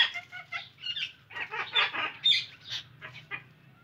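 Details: Indian ringneck parakeet chattering in a dense run of rough, rasping notes and squawks for several seconds, loud then trailing off, with a faint low hum beneath.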